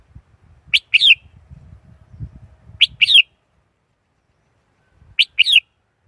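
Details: Red-whiskered bulbul uttering short two-part phrases, a clipped note then a rising-falling slurred whistle, three times about two seconds apart, over soft low rustling and thumping.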